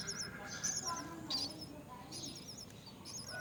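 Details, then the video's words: A mother myna feeds her young at the nest. Bursts of thin, high, warbling squeaks come in short clusters with brief gaps, over a soft low rumble. "Mother birdmyna feeds her young at the nest"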